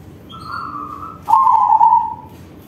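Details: A higher, steady note from one dove gives way to a loud, fluttering coo from a crossbred zebra dove singing with a big voice, which lasts about a second.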